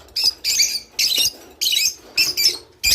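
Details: Java sparrow song meant to encourage mating: dense, high, chattering chirp bursts, each about a quarter second long, repeated with short gaps.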